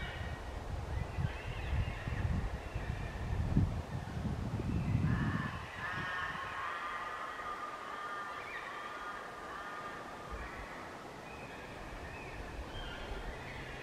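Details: A couple of Australian Ravens give loud, harsh, drawn-out wailing caws in a loose back-and-forth series in Nowendoc State Forest, a logging forest off Thunderbolts Way, New South Wales, with wind roaring in the branches early on.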